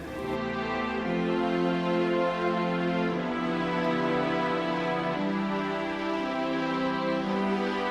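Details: Soft, sustained instrumental music plays throughout with no animal sound.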